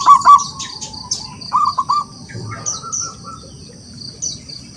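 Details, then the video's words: Wild local zebra dove singing to call rivals: an opening pair of loud coos, a drawn-out softer note, then a stuttering run of three coos and faint trailing notes, with persistent high thin chirps from other birds. "Perkutut lokal alam gacor, suara memanggil lawan untuk bunyi"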